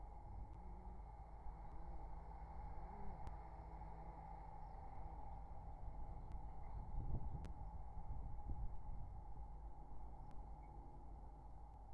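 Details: A steady electrical hum and low rumble with a few faint clicks; no clear animal voice stands out.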